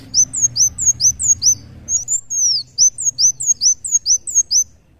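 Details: A sunbird, known locally as kolibri wulung, in full muncang daun song. Rapid, sharp, high downslurred whistles repeat steadily about every quarter second, with one longer sweeping note midway. Faint low hum behind.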